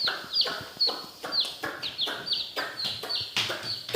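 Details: Coloured baby chicks in a village peeping continuously: high, sharp notes falling in pitch, several chicks calling in quick succession over soft knocks.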